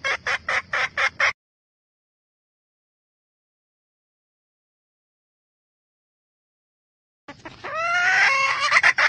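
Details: Red junglefowl hen calling to excite the males: five quick loud clucks, a long silence, then the start of another drawn-out rising harsh note with clucks breaking through.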